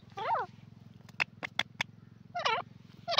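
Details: Grey francolin calls: harsh, ringing phrases at the start and end, with several sharp clicks in between over a constant low droning hum.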